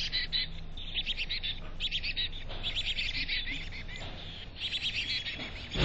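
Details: Nest box chickadee in North Vancouver: a busy stream of thin, high, slightly buzzy chirps in clustered bursts, a steady low hum underneath and a knock at the end.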